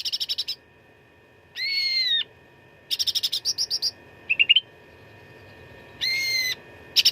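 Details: Fighting song of a cucak ranting used for contest training: fast rattling bursts mixed with long, harsh, drawn-out nasal notes, a few rising whistled notes, and brief pauses between phrases.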